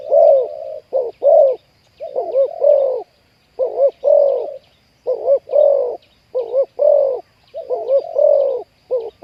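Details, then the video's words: Wild spotted dove trapping with a decoy, the catch having a big, deep 'ku-ang' voice. Throaty coos arrive in short bursts of two to four notes with brief pauses, steady and mid-pitched, with a faint insect buzz above. "ต่อนกเขาใหญ่ วันนี้จับนกป่าคูอ่างเสียงใหญ่"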